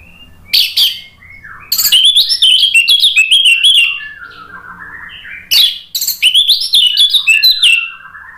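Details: Orange-headed thrush, called anis merah, singing to provoke another bird: two long rambling phrases of mixed sharp clicks and sweet slurred whistles, falling toward lower notes, separated by a brief quieter pause.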